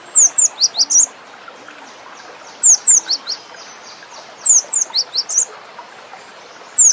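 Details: Cinereous tit (gelatik batu) in full song: recurring phrases of high, piercing slurred whistles, each phrase a quick run of four to six notes, repeated every couple of seconds above a soft hiss.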